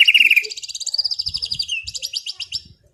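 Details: White-rumped shama in calm afternoon song for relaxing an overexcited bird: a fast high trill that slides slightly upward, then stuttering repeated notes fading out.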